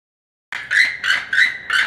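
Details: A captive keel-billed toucan (Ramphastos sulfuratus), one of a pair kept in winter housing at a zoo, gives four dry, croaking notes in quick succession, about three per second, each rasping and frog-like.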